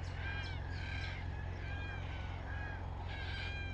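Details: Red-tailed black cockatoos giving a series of harsh, nasal, harmonic calls, several in quick succession with brief gaps, over a steady low rumble of background noise.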